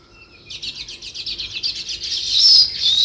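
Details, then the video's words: Sparrow chirping in a natural setting: a fast run of bright, high chirps repeated about twice a second, growing louder into a dense, shrill twittering toward the end. "Natural Sparrow View and Sounds | Chirping Sounds"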